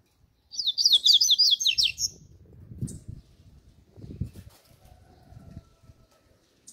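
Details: Double-collared seedeater giving a "grego" song: a dense, rapid string of high, buzzy, downward-sweeping notes over about a second and a half, then low thumps and rustling with a stray faint chip.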